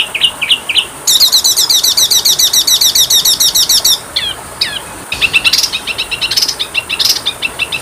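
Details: Training song of kacer (Oriental magpie-robin) with small-bird fill-ins: three quick whistled notes, a dense, even rattle of high hooked notes lasting three seconds, two swooping whistles, then scratchy chattering phrases.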